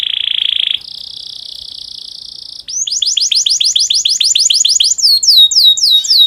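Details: Breeding-condition domestic canary song meant to prompt other canaries to sing quickly: a steady whistled tone, a higher buzzy roll, then rapid repeated downslurred chips speeding into high sweeping notes.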